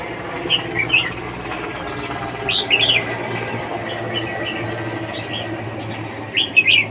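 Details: Red-whiskered bulbul singing in a competition, giving short clusters of lively, warbled whistles three times, early, midway and at the close, over a constant low hum.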